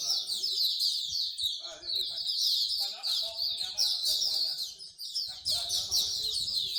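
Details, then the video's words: At a bird singing corner in Singapore, many songbirds sing together in a dense, unbroken chorus of high twittering and chirping notes, with people's voices murmuring underneath. "Bird Singing Corner"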